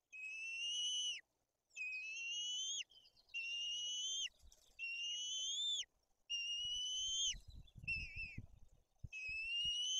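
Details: White-tailed eagle chicks being fed fish in Tuchola Forest, Poland, with the older chick aggressive: repeated arched, rising whistles, one short broken note, and scuffling and rustling sounds near the end.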